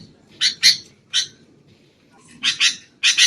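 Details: Sooty-headed bulbul giving noisy calls from a recording used to lure birds into traps: harsh, raspy squawks in pairs and single bursts, separated by short silences.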